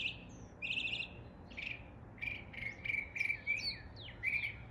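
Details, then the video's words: Mimicking mockingbird in East Tennessee: a buzzy high phrase, then a string of clipped, evenly repeated chip notes, ending with slurred whistles and another chip, against quiet low rumble. "A mockingbird imitating the sounds of local birds in East Tennessee."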